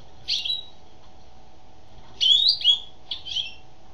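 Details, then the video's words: Song of a female European goldfinch: three separated bright twittering bursts, the middle one longest with a rising then falling slur, with gaps of over a second of near silence and a low steady hum. "Chant d'une femelle chardonneret"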